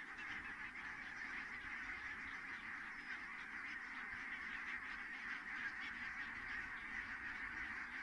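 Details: Geese landing in great numbers at Kulgur, Estonia, 4 May 2018 around 17:58; continuous massed honking from a large flock, individual calls blurred together into a constant roar.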